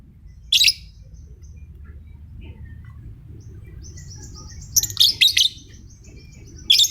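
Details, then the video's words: Lovebird giving short, harsh, high chirps in sharp bursts, one early and a cluster of three near the end, with a faint thin note between, over a steady low background hum. "LOVE BIRD"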